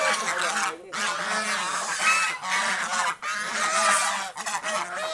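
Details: Domestic geese enjoying the fields around a house, a flock giving harsh, overlapping honks almost without pause, with loud nasal calls layered over each other and only brief gaps.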